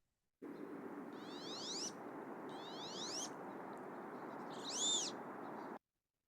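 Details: A male Wood Duck gives its display call, three squeaky, rising 'weep' notes about a second and a half apart, over a steady background hiss.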